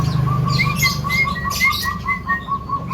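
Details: Young Javan myna with a melodious full isian song, here a fast, even series of short clear whistled notes, about five per second, with higher answering notes overhead and low background rumble.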